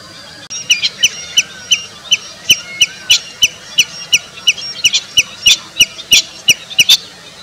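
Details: Common redshank in India: a steady series of short, sharp, high calls repeated about three times a second, with a faint rustling background.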